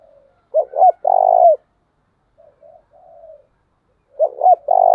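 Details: Spotted dove kept as a decoy for training doves, giving the 'chìm' coo: a phrase of two clipped notes and a drawn-out coo, then softer, quieter coos, then the loud phrase starting again.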